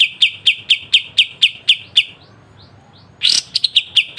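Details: Pied triller song used as a master recording for training songbirds, with sharp 'besetan' phrases: a fast series of bright, clipped chip notes at steady pitch, about four per second, then a harsh burst and more chips.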